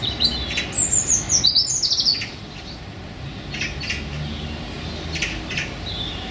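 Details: One of a pair of Eurasian magpies in a small London park; the female seems to beg for the male's attention. High, thin squealing calls slide downward over two seconds, then fainter scratchy bursts over a low outdoor hum.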